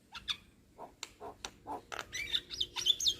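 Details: Young Javan myna song: a handful of low croaky notes followed by a quick series of bright, looping whistled phrases.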